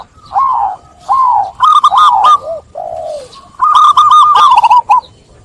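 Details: Perkutut, or zebra dove, singing. Soft, low, falling coos open the clip, then louder chattering runs of quick clipped notes follow, with brief pauses between phrases.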